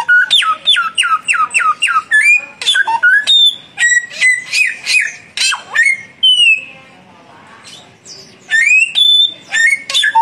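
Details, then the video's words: Duel between a young samyong bird and a mature one. Fast identical whistled notes repeat about five per second, then varied whistles and rasps, a two-second quiet gap, and loud rising whistles again. "samyong muda vs samyong mapan duel gacor"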